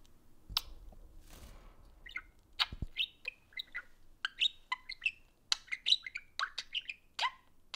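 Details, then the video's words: Two pet budgerigars socializing over an iPhone chatter in quick, high chirps and short warbled notes, with a few soft rustles and taps at the start. "Parakeets Socialize over an iPhone (Budgie Play Time)"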